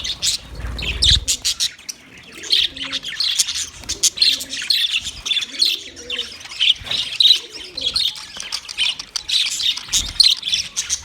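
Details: Budgerigars recorded on 9 March 2024, giving dense, fast chatter of high chirps and warbled tweets with scratchy squawks mixed in, overlapping almost continuously; a brief low thump early on.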